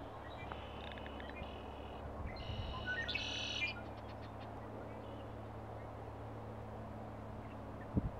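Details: On May 13, 2018, near Flagstaff, Arizona, a Red-winged Blackbird perched on a cattail gives its mating song: a few clipped introductory notes, then a harsh, buzzy trill lasting about a second, over a steady low hum.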